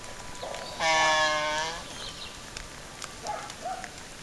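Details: Laysan albatross during its courtship dance at Princeville, Kauai, Hawaii: a loud, nasal, harmonic bray lasting under a second, followed by fainter, softer calls and light clicks against a quiet outdoor background.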